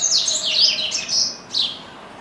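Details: Pet double-collared seedeater that sings all day long, delivering a brief bright warble of high, slurred whistles that dip and rise, ending with one separate downward note.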